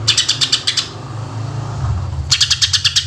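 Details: Greater green leafbird singing rapid 'tembakan' shot phrases, used to lure other birds: a fast staccato run of sharp notes, a pause with only a low rumble, then another fast burst.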